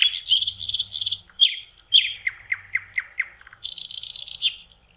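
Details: Common nightingale singing in May on a lakeshore in spring: rapid buzzy trills, sharp whistled notes and a run of descending slurred phrases, then a dense rattling trill; no other sounds.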